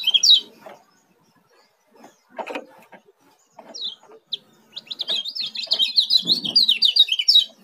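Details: Juvenile Oriental white-eye from Lombok, called kecial kuning, starts with brief high chirps, then breaks into a sustained fast, sweet twittering run of rising and falling notes; scattered low thumps and clatter in between.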